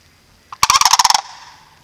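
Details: A single sandhill crane call at Reifel Bird Sanctuary: a loud, harsh, rolling rattle of about ten rapid pulses lasting just over half a second, trailing off into a faint echo.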